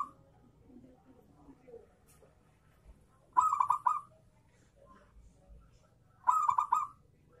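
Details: Kerot-style zebra dove singing, used to prompt local doves to start cooing; two rapid trilled coo phrases of four or five quick notes each, roughly three seconds apart, with faint background murmurs between.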